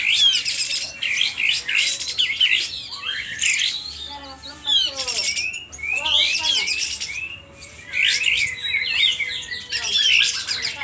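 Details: Agitated sooty-headed bulbul from Aceh, tail spread, calling loudly. Bursts of scratchy high chatter alternate with short gaps, and a quick series of falling whistled notes comes midway.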